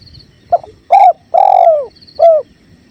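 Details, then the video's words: Rhythmic spotted dove call set against clear river flow: stuttering short note, strong coo, long downward-curving coo, then a brief end note. Distant thin chirps and a steady low water murmur fill the gaps. "Masteran Tekukur River Flow"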